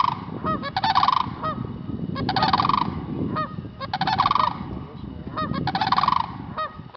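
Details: A pair of sandhill cranes at Kensington park give loud, rolling, trumpeting rattles in bursts about every two seconds, over a steady low rumble of wind.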